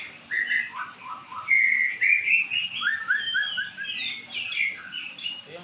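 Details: Magpie-robin song, coaxed from a formerly mute bird by playing recorded song. Sweet, fairly soft whistled notes follow each other in short, rising and falling runs, with a faint background hum.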